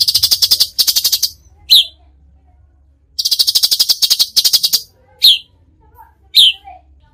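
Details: Cucak cungkok singing tembakan: two sets of rapid, chattering harsh bursts, each ended by a sharp downward-slurred whistle, with further single whistles between.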